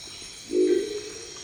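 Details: A Crested Owl (Lophostrix cristata) in the Ecuadorian Amazon gives one typical deep, gruff, croaking call lasting about half a second, over a faint steady hum of night insects.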